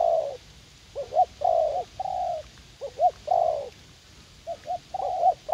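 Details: Spotted dove, a fight-eager young wild bird working as a garden decoy in U Minh, delivering low mellow coos: bouncing double notes then smooth longer hoots, with a short pause midway.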